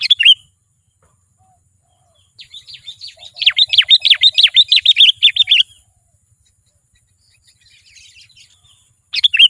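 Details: Sooty-headed bulbul in lively song used to lure wild bulbuls closer. A bright opening note, then a fast run of about fifteen sharp, descending chirps over two seconds, a quiet gap with faint twitters, and another bright note at the end.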